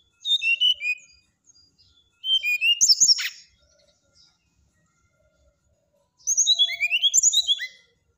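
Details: Brown-chested jungle flycatcher delivering three varied phrases of high, twittering whistles, each a couple of seconds long and separated by pauses, with slurred notes sweeping down and up; a faint low hum in the background.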